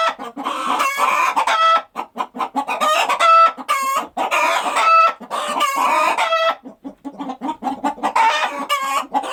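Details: Chickens on a rural farm in a lively chorus: repeated long, ringing squawks in bursts of a second or two, separated by quick runs of short clucks.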